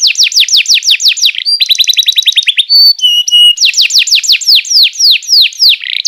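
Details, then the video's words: Canary song used to train young canaries, with quick down-slurred whistle trills, a dense buzzy rolling passage, brief flat piping tones, then more rapid slurred notes. "PANCINGAN JITU BURUNG KENARI#014,masteran burung kenari paud"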